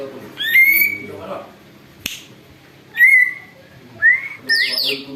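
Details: Greater green leafbird, noisy and used for luring, imitating an eagle: bright rising whistles spaced about a second apart, a single sharp click, then a high descending screech at the end.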